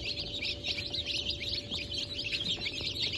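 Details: A crowd of freshly hatched chicks (Brahma, Sultan, Sussex, Wyandotte), hatch of 28 January 2024, giving a busy overlapping stream of shrill cheeps over rumbling background noise.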